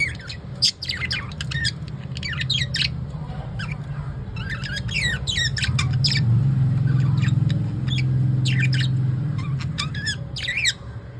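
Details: Lovebirds kept as pets call in the evening with bursts of rapid, scratchy squawks in irregular clusters, partly masked by a loud low rumble like a passing vehicle.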